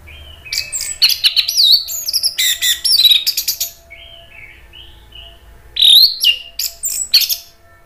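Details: Orange-headed thrush song intended to provoke other thrushes: rapid runs of high sharp chips and slurred whistled notes, softer mid-pitched warbles in between, then another loud burst.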